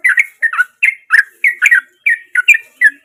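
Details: Sooty-headed bulbul in its natural voice, a lure for silent birds: about nine rich, slurred, bubbly notes in three seconds, each a quick two-part warble.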